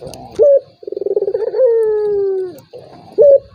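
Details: Lure call of a turtle dove for a rival that won't call: a short sharp note, a throbbing trill and a smooth coo gliding downward, then another sharp note starting the next phrase.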